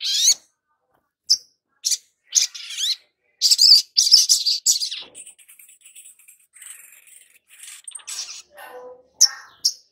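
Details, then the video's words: Long-billed spiderhunter song used as a lure to make newly caught birds sing quickly and often: loud, sharp, high chips in a rapid irregular run, then softer scratchy twittering and a few final clipped notes. "Pancingan SOGON BAKALAN agar Cepat BUNYI dan GACOR || Pancingan Sogok Ontong agar NGOBRA"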